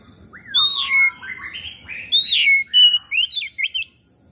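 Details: Oriental magpie-robin song, played as a lure to make a sluggish bird sing and spread its tail: varied loud whistles, rising and falling slurs and quick chirps in dense phrases, over faint low hum.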